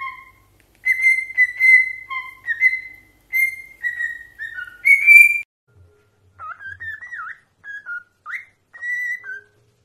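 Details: Parrot whistling a tune in clear, pure notes, a steady phrase of held and bending tones, then after a short pause softer, wavering whistled notes.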